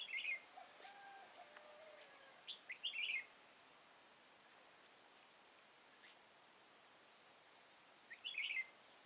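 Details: At a Kim Bôi, Hòa Bình trapping spot on 6 April 2017, a red-whiskered bulbul sings bursts of rapid, bubbly whistled notes at the start, around three seconds, and again after a long pause near the end.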